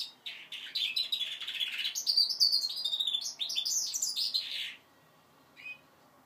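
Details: Young goldfinch mule, five months old, practising its song: a rapid, jumbled stream of high twittering notes and slurred trills for about five seconds, ending with one soft chirp after a pause.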